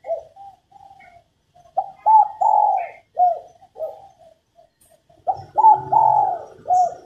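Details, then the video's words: Female spotted dove, cooing to stir males to sing: quiet faltering coos at first, then two stronger phrases of hooting notes, each ending in a longer swelling coo, over a slight low hum. "Cu mái gáy kích bổi nhanh nổi, kích trống gù khách"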